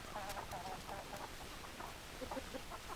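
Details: Domestic chickens, hens clucking: soft, short clucks repeated irregularly through the recording, some paired, over a steady hiss of background noise.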